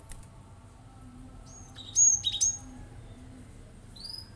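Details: Cinereous tit singing to goad other birds into song: a tight cluster of sharp, high whistled notes with abrupt jumps in pitch, then a faint pair of thin notes near the end.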